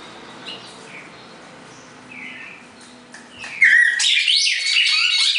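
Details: Red-crested cardinal pair, classic four-note Bagé song: faint soft notes at first, then a loud whistled downward note followed by a burst of rapid, jumbled chirping phrases.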